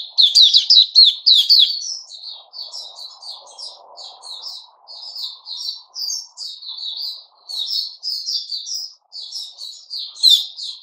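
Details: Male sooty-headed bulbul recorded 10 July 2021 gives a long, fast run of high, twisting chirps, loud at first, then softer clipped notes, with a faint low rumble in the middle.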